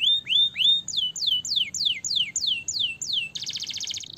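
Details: Canary song meant to stimulate other birds to sing: a few rising whistles, then a fast series of about eight sharply descending slurred whistles, each roughly a quarter-second apart, ending in a dense buzzy trill.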